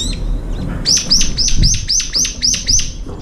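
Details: Brown-eared bulbul feeding at a window feeder where birds arrive one or two at a time; loud series of about eight shrill, high, hooked notes delivered rapidly and rhythmically over two seconds, with low background rumble.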